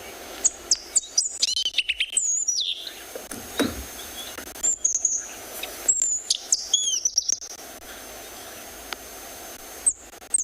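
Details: A drongo at sunrise on 25 January in Tswalu Kalahari Reserve, South Africa, pours out a rapid, varied stream of sharp chirps, high whistles and buzzy mimicked notes, flycatcher included, in near-constant calling with brief pauses.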